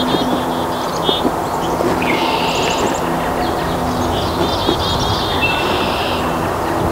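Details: House wren cleaning out a tree cavity for a nest in early spring at Lake Wampanoag Wildlife Sanctuary, north-central Massachusetts, USA; several short buzzy, rattling bursts of song, high-pitched, scattered across the clip over a steady low hum.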